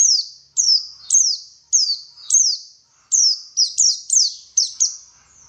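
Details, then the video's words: White-eye song used to get a bird singing: a steady series of loud, very high chirps, each dropping sharply in pitch, about two per second, closing in a quicker cluster. "PANCINGAN BURUNG PLECI SUPAYA GACOR"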